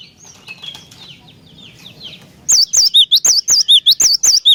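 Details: Song of a cinereous tit, used to provoke other tits to sing: after soft background chirping, a single loud run of about a dozen rapid, high, wavering whistled notes alternating high and low.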